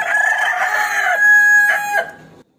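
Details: Cockerel calling out a rival to fight, giving one loud, hoarse, drawn-out crow that swells, holds a brassy note, then drops with a short final hiccup before silence.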